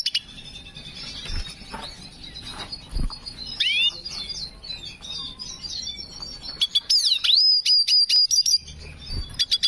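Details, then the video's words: Hooded siskin, black-hooded, in breeding condition, singing: bright high twittering phrases with rising and falling whistled sweeps and rapid clicking bursts, loudest near the end, with faint low thumps in the background. "Black Hooded Siskin Gacor Birahi Cengkok Unik"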